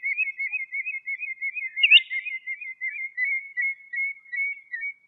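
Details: Common redshank (Tringa totanus) singing in the wild in Greece: a fast, yodelling run of clear whistled notes, several a second, held at one high pitch for five seconds without a break.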